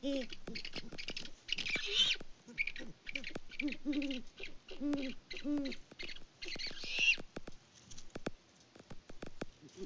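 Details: Mated great horned owls on a Kansas farm call in winter. Groups of deep hoots come and go among clicking, scratchy sounds and a few harsh higher squeals.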